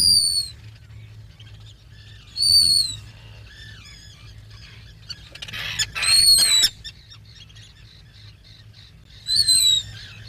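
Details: Thin, high piping whistles from a black guillemot at its breeding burrow, short separate notes spaced several seconds apart, with a burst of rustling and scraping in the middle and a low background drone.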